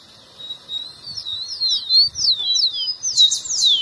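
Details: Rufous-collared sparrow singing, used to get a pet bird to sing: soft lead-in whistles, then a lively sequence of high, downward-sliding slurred notes about three per second, ending in a brighter, buzzier cluster.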